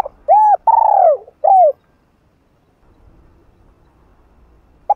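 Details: Spotted dove giving a full hap boi phrase meant to fire up another dove: three quick hollow coos, the middle one longest and arched, then a pause and the start of another coo.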